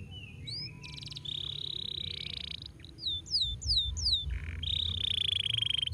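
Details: Domestic canary singing: a flat buzzy trill, a series of quick downward-slurred whistles repeated about three times a second, then a long high rolling trill, over a steady low hum.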